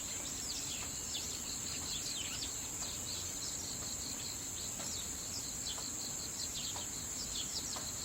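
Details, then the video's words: Young Eurasian tree sparrows on 3 October 2015, coming down to drink tap water, give quick, high chirps several times a second over a steady, shrill insect drone. "スズメ Eurasian Tree Sparrow の鳴き声"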